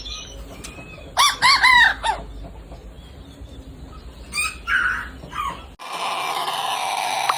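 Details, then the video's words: Rooster making strange sounds: a short, broken, rising-and-falling crow near the start and a hoarse burst a few seconds later, with a steady hiss of background noise toward the end. "Weird Rooster Sounds"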